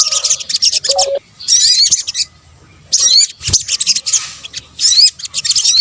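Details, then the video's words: Sunbird sounds from Indonesia, known locally as sogok ontong, combined into a lure for attracting birds; bursts of rapid, high, thin twittering and sharp rising notes, separated by short pauses, with a brief lower whistled note near the start. "kombinasi suara sogok ontong"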